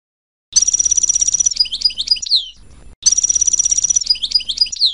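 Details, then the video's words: European goldfinch song phrases, called sorties: a rapid buzzy, ringing trill of high notes followed by twisting whistled chirps, the same phrase given twice with a short gap between. "Les sorties chant chardonneret تعلم لغة الحسون الدرس الاول"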